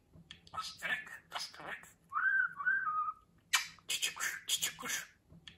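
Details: Pet budgerigar talking, producing raspy, speech-like syllable bursts, then a clear whistled phrase around the middle, followed by more rapid chattering words.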